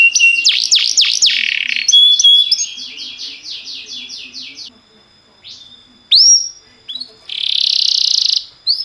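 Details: Timbrado canary singing for training: quick zigzag whistles, a series of repeated slurred notes fading out, a sharp rising whistle, then a buzzy roll.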